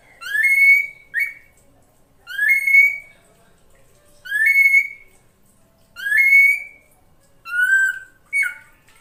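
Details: Female drongo luring a male: a series of five rising whistles, each climbing and then leveling into a held tone, repeated about every two seconds, some followed by a brief echoing second note.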